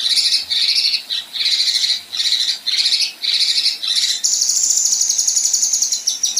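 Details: Female Kinoi besetan and rough tembakan: a row of harsh grating buzzes, then a sustained very high, rapid trill of sharp pulsed notes.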